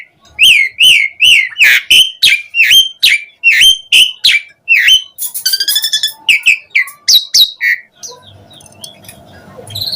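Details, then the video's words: Asian pied starling song used to coax other starlings into singing: about a dozen regular downslurred whistles, a burst of harsh buzzy notes, a few more whistles, then fading low noise. "Pancingan Jalak Suren Gacor Memancing Suara Burung Jalak Biar cpt Respon NYAUT ikut Gacor Full Isian"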